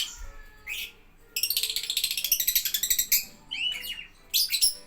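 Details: Lovebird singing a rapid chattering run of high, buzzy ticking notes, roughly a dozen pulses in quick succession, preceded and followed by rising squeaky chirps.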